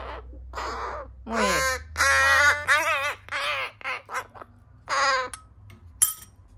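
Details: Noisy begging from rescued juvenile crows, some disabled, while being hand-fed in July: a rapid run of harsh, wavering caws, some rising and quavering, packed closely together, with a low hum underneath.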